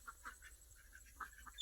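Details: Talking myna in India imitates human speech, calling a name in a quick run of short, nasal, word-like syllables, a brief pause, then a few more, over a faint background hiss.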